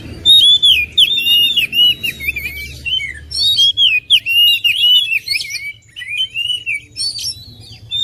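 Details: Oriental magpie-robin in near-continuous loud song: rapid strings of looping whistled notes, slurring up and down, mixed with sharp high chips and short pauses.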